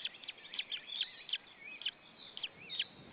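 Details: White-tailed eagle chick chirping alone in the nest at Saunja, Estonia, 26 April 2013, late afternoon, parent gone; quick high chirps, some slightly slurred, about three per second, close and clear over light hiss.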